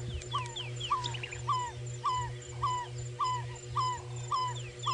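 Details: An African barred owlet calls in the distance during a sunrise safari drive at about 5:30 AM on Feb 24, 2018, in the Sabi Sand, South Africa: short, clear whistled notes, each swelling then dipping, about twice a second, over a low engine hum.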